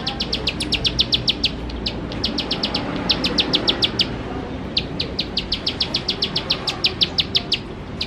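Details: Bar-winged prinia singing rapid trains of sharp, high, clipped notes in several bursts separated by brief pauses near two, three and five seconds.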